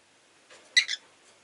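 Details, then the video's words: Pet rosy-faced lovebird recorded indoors with city noise audible at times: a single sharp, harsh double chirp lasting a fraction of a second, high-pitched and bright, set against near silence. "Lovebird Chirping Sounds"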